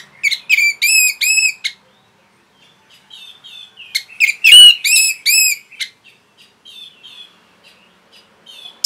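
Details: Orange-headed thrush training song for caged birds, with clear repeated whistled notes bent in arcs, a quiet pause with soft twitters, then a louder run of similar arched whistles fading into faint high chatter.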